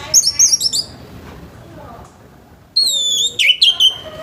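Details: Orange-headed thrush song in the morning, to stimulate other birds: quick high whistled notes, a silent gap, then a rich phrase of sliding, downslurred whistles.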